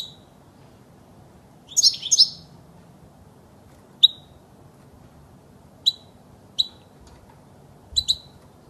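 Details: European goldfinch song for training young birds: a brief twittered double burst, then scattered single and paired high chirps every second or two.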